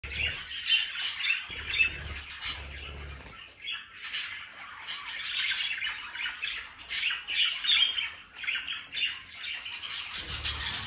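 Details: Budgerigars, a flock of Australian parakeets, chattering continuously in dense overlapping squawks and chirps, busy warbling with sharp harsh notes throughout, with a faint low hum at the start and end.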